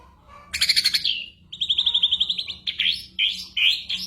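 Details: Ashy drongo song full of imitated sounds, used to train songbirds such as the white-rumped shama: loud high trilled bursts, a rapid buzzy trill, then looping whistled phrases sweeping up and down.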